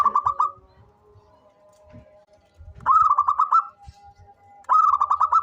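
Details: Local zebra dove calling often: clear staccato bursts of six to eight rapid, bubbly coos, three times, separated by faint sustained tones and occasional soft knocks.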